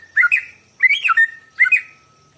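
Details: Morning song of a white-rumped shama, used as a lure for other birds: three quick phrases of rich, warbling whistles, each twisting and dipping, separated by brief pauses.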